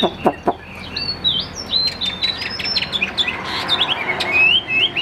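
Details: Chinese hwamei, a Tam Hoàng bird kept in a cage, delivers sliding clear whistles and quick upward slurs, broken at first by sharp clicks and knocks, the phrases growing denser toward the close.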